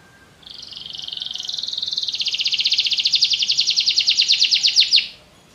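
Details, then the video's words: Canary delivering a long, steadily swelling rapid trill lasting nearly five seconds, buzzy and rolling, stopping abruptly, with a faint background hiss. "Canary bird | o canário canta muito bem"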